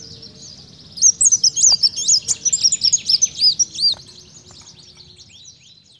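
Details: Kolibri daun in full voice imitating a canary: about three seconds of dense, high, rapid chattering notes, looping whistles and quick trills, then fading to near silence with only a faint low hum.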